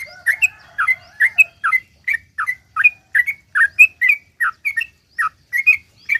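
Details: Sooty-headed bulbul singing long rapid 'ropel panjang' song as a lure to set other bulbuls singing: a low steady tone at first, then an even series of short fluty slurred notes, about three per second.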